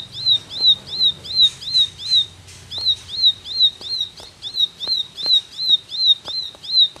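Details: Ashy tailorbird lure call: a sharp, high, slurred note repeated nearly three times a second in a steady run, with faint clicks and taps behind.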